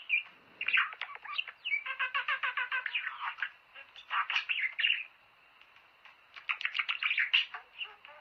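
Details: Singing budgerigars, used to prompt pet birds to mate. A run of rapid, evenly repeated chirps leads into scratchy warbling. After a brief lull, another quick burst of chattering notes follows.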